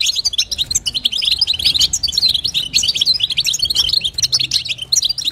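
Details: Female European goldfinch calling to excite the male, a fast stream of liquid twittering chirps, high-pitched and unbroken for several seconds, over a soft low background hum.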